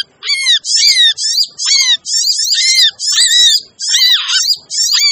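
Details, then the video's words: Busy lure recording of crimson sunbirds, played to attract hard-to-lure birds: dense bursts of high, harsh chattering notes about half a second long, each with a lower slurred whistle beneath, separated by short pauses. "suara pikat burung sogon ribut!"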